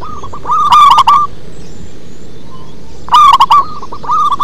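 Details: Zebra dove of local stock giving deep singing phrases: two loud, rapid rolling coo bursts about two seconds apart, each trailing into softer clipped coos, over constant background hiss.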